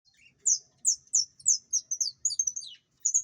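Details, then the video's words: Opaline saffron finch singing a series of high, sharp descending notes, about eight clear phrases spaced roughly a third of a second apart, with a short pause before a final note; no other sounds. "Canário da terra opalino"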